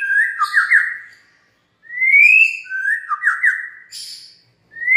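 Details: White-rumped shama lure song played to make other shamas join in: alternating warbled, trilled whistles and long upward-sliding clear notes, repeated in a lively flowing sequence with brief pauses.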